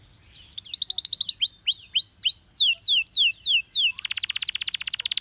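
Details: A Belgian canary sings a fast trill, then arched upswept whistles repeated at a steady pace, ending in a rapid, dense, ringing trill.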